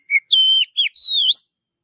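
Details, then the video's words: Oriental magpie-robin singing naturally in forest, its song meant to provoke other magpie-robins into singing: a short chip, then long clear whistles, one level and one wavering upward, sharp and bright against silence. "Kicauan Kacer Alami Di Hutan || Merangasang Kacer Lain Cepat Bunyi"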